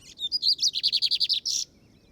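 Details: Lined Seedeater (bigodinho) on a field outing (campiada): a loud run of about ten rapid, evenly spaced buzzy notes, ending in a harsher burst, over a quiet background.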